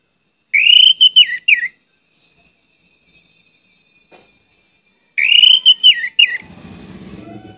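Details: Orange-headed thrush repeating the same loud whistled phrase twice, about five seconds apart, with quick descending notes; a low buzzing rumble follows the second phrase.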